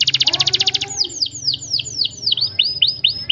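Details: Canary singing a long, close-rolled 'cuit cuit' song: a fast buzzy trill of rapid notes, then a series of clear descending whistled sweeps repeated about four times a second.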